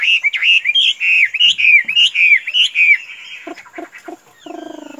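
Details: Tame pet Chinese hwamei giving a series of loud, bouncy whistled phrases rising and falling. The song ends in a few harsh, nasal chattering notes.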